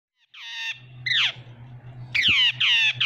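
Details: Jungle babbler calling: harsh, nasal squawks with descending harmonic sweeps, a drawn-out note, then several loud downslurred squeaks near the end, over a faint low steady hum.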